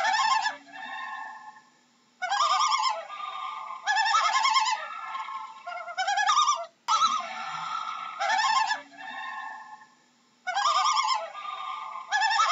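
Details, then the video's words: A loon gives loud, harsh, quavering, wavering calls in bursts of about a second, with short pauses between them. "How does a Loon sounds"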